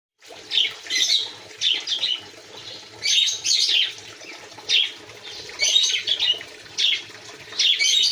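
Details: Quail kept in an aviary, heard going about their behaviour: bright, harsh, high chirping bursts coming in quick clusters roughly every half second to second, with short quieter gaps and faint low rustling beneath.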